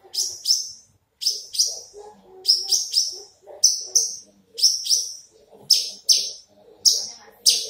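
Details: Big-bodied Horsfield's bush lark delivers a steady series of crisp, very high paired chips, each pair about a second apart, loud and ringing, over quiet background murmur.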